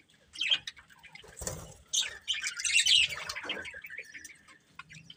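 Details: Pet budgerigars chirping; scattered sharp tweets, then a louder burst of scratchy warbling chatter in the middle, with a brief flutter-like rustle early on.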